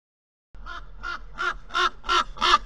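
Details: Common raven visiting a nest in Corbera de Llobregat, Barcelona, Spain, recorded by a camera at the nest. After a brief silence, six harsh, croaking calls come in steady succession, each louder than the one before.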